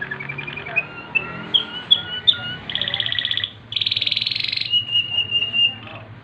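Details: Waterslager canary singing at night: a varied run of clear whistled notes and sliding tones, then two dense bubbling rolls, ending in a level, fast-trilled whistle.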